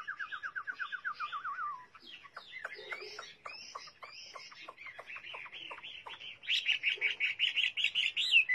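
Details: Chinese hwamei singing. A quick, even trill falls away and is followed by a jumble of varied chattering notes, then a loud run of bright, repeated whistled notes.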